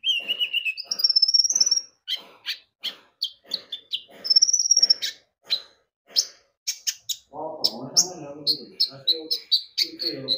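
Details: Lively olive-backed sunbird song serving as a lure to get other birds singing: buzzy high trills alternating with quick sharp chirps in a steady stream, with a low rumbling murmur in the last few seconds.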